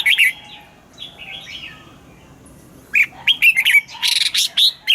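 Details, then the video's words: Caged red-whiskered bulbul in Vietnam singing a morning song in the double-note wild style used to train birds: short loud warbled bursts, one at the start, then a run of rapid chirps after three seconds, with softer bulbul-like phrases between. "Luyện giọng cho chào mào hót sáng, ép chào mào hót âm kép già rừng hay tuyệt!"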